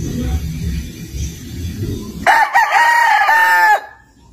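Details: A rooster crows in a yard: one loud, drawn-out crow of about a second and a half, level then slightly falling, ending abruptly after a mixed murmur of lower background sound.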